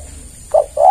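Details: Spotted dove (tekukur) call used to lure other doves: two short low coos, the second longer and slightly rising, after a quiet start.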